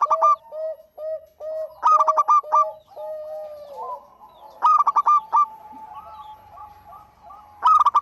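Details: Singing local zebra dove used as a lure for other birds: clusters of fast, hollow, harmonic coos then long level rolling notes, the phrase recurring roughly every three seconds while a fainter, lower dove coos between phrases.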